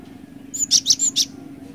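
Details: Cinereous tit song in the lively 'ngerol ngeplong' style, used as a lure: a short burst of four or five high, sharp chirped notes in quick succession over a faint low hum.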